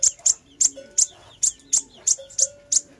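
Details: Fire-breasted sunbird recording used as a lure, with sharp, piercing high chips repeated about three times a second in an uneven rhythm, and a faint low hum running between notes.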